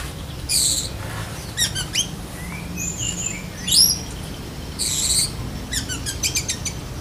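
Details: Black-breasted Oriental magpie-robin delivering lovebird-mimicking besetan kapas song, here quieter: scattered sharp high chirps, short rising whistles and brief rapid note bursts separated by pauses, with steady low rumbling noise behind.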